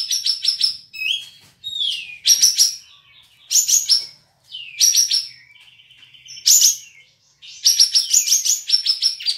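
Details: Kapas tembak, a caged cream-vented bulbul entered in an online bird contest from Singkawang, West Kalimantan, alternating rapid buzzy trill bursts with smooth falling and level whistles, some pauses between phrases.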